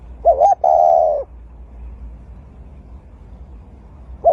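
A Eurasian collared dove gives a mellow hooting coo, a short note followed by a longer, slightly falling one. Another coo begins after a quiet pause.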